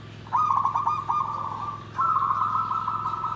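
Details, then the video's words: Perkutut song in the nggandem gedhe garing manner: a quick series of stuttered dropping notes leads into a long trilled coo, then a second, slightly higher rolling coo follows without pause. Low steady hum underneath. "SUARA PERKUTUT GENDOWO SABDO || NGGANDEM GEDHE GARING"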